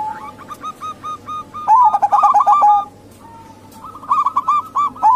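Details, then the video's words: Zebra dove lure calls from local and Bangkok birds; a string of evenly spaced soft coos, then a loud rapid rolling burst, a quiet pause, and another quick chattering series. "Pancingan Perkutut Lokal & Bangkok Biar Rame Diteras"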